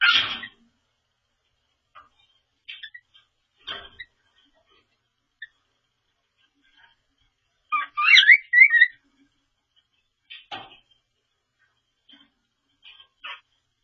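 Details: A cockatiel practises its quirky song while another cockatiel steps on it: short bright whistled phrases, broken by pauses.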